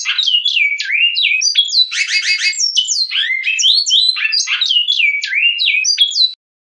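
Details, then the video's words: Great-billed seed-finch (Sporophila maximiliani) sings the classic Goiano song (CGC), Batuque line: a continuous run of rich, rapidly sliding whistles with a brief buzzy, rattling phrase, lasting about six seconds. "Canto de Bicudo Goiano Clássico - CGC - linha Batuque"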